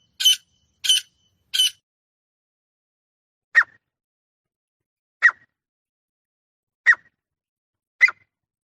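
A female francolin gives three quick, harsh, scratchy notes, then single short, descending squeaky notes spaced about a second and a half apart, against silence.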